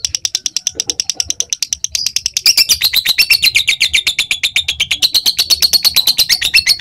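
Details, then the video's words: Long ngekek chatter of a lovebird, meant to coax other lovebirds into chattering at length: rapid steady high-pitched clicks and buzzy notes that intensify after two seconds and continue without pause. "Masteran/Pancingan burung lovebir biar bisa ngekek panjang"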